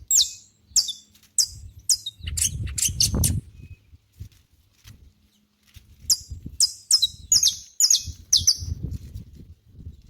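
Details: Saffron finch singing near nature: bright, sharp, descending high chips in quick runs, broken by a stretch of low rumbling noise, then more chips over a steady low background.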